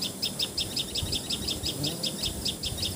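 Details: Repeated sharp, high chip-like notes of a common tailorbird, Assamese patxhia sorai or tiposi sorai, in Assam, India, about three per second in clear even rhythm over faint background noise.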